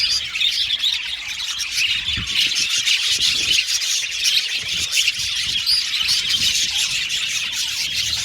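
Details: An aviary colony of budgies keeps up an unbroken chorus of shrill chirps and warbled chatter, many voices overlapping evenly throughout, with faint low thumps underneath.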